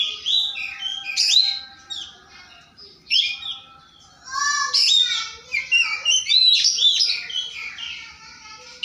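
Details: Oriental magpie-robin singing persistently in the morning, challenging a rival: a rich, varied run of loud whistles, sweeping slurs and chattering notes in quick bursts, with short quieter gaps between phrases.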